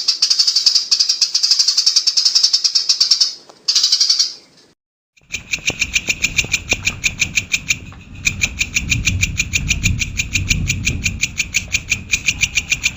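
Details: Brown shrike song for bird training: a dense buzzy chatter, then a short gap, then a long series of crisp, evenly repeated high clicks over a low rumbling background noise.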